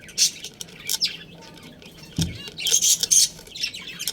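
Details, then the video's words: Budgerigars from a colony with a breeding pair give sparse sharp chirps and scratchy squawks, separated by brief quieter gaps, with a soft thud midway. "Adorable Budgies Chirping Sounds"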